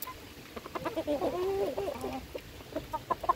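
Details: Hens at feeding time, a burst of mixed clucks and a drawn-out, wavering purring cackle in the middle, followed by short sharp clucks, with light knocking sounds throughout.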